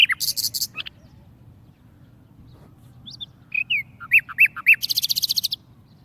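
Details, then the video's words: Caged, tamed warbler singing: a few high whistled and slurred notes, then a fast dry rattle of clicking notes, over a steady low hum. "warble bird tamed in cage and singing very nice"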